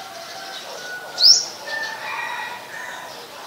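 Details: Olive-backed sunbird from the mangrove forest of the Sirinart Rajini centre in Thailand: a single sharp, high, upslurred note, with soft faint background sounds before and after.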